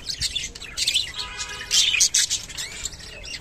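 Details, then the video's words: Rainbow budgerigar mating call from kept birds: bright twittering chirps and buzzy warbles in quick clusters, with a louder harsh chattering burst partway through. "rainbow budgerigar mating call and sound"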